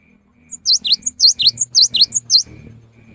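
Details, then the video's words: Energetic cinereous tit song recorded as a lure for the rainy season: about eight bright, swooping whistled notes in quick regular succession with thin high accents, ending abruptly amid a faint low hum. "GELATIK BATU GACOR | PANCINGAN AMPUH SAAT MUSIM HUJAN"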